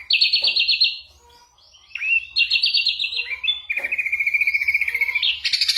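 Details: Ashy drongo song filled with mimicked bird calls and gunshot sounds, played to teach songbirds: bursts of rapid buzzy rattles alternating with a long steady trill and brief gaps of near silence.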